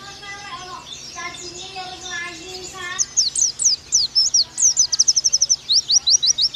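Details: Pleci (oriental white-eye) masteran for 'nembak' training: three seconds of a lower, harmonic, rolling voice, then fast, high, sharp chirps in an accelerating series, some notes doubled in quick pairs.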